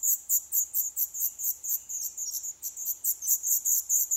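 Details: Several Black redstart chicks calling from their nest in an old furnace pipe in a Polish building due for demolition, eleventh day; a dense, continuous chorus of piercing high chirps, roughly two to three per second, overlapping.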